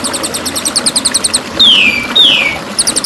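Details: Master recording of a champion white-rumped shama used to train other shamas: a quick series of high, repeated trilled chips, then two clear whistles that each glide down, and the chipping resumes at the end.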